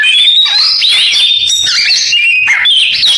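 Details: Oriental magpie-robin copying canary song, with fast twittering trills mixed with a few downward-swooping whistles and rough chattering notes, continuous throughout.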